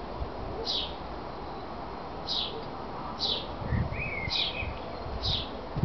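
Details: Great tit pair feeding at a garden birdhouse in Veghel, Netherlands: five sharp, high single chips spaced about a second apart, one lower slurred note in between, against constant low rumbling background noise.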